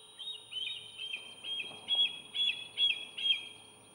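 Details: Bald eagle at a nest on Santa Cruz Island, Channel Islands National Park, California, in June at dawn, giving a thin, high chittering series of about eight squeaky notes, roughly two a second, growing louder over faint hiss.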